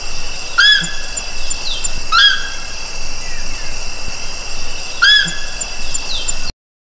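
A Rufous Night-Heron gives three short, ringing, slightly hooked notes at uneven intervals over a steady, high drone of insects.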